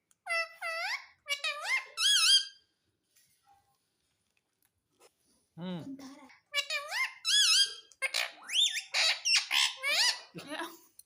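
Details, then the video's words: Indian ringneck parakeet talking, saying words like mummy and papa: clusters of high, nasal, curving speech-like syllables, a pause, a brief deep human voice, then a long busy run of squeaky chattering words. "Talking Parrot Mummy Papa"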